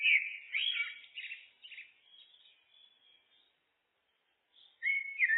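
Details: Looped song of a common blackbird: a loud fluty warble opens, trailing into softer twittering notes that fade to silence, before a new clear whistled phrase bursts in at the end.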